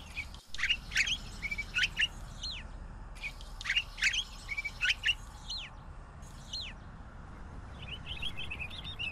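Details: A pine grosbeak sings phrases of chirps ending in a drawn, downward-swooping whistle, about three similar phrases with pauses between, plus a soft twittering at the end.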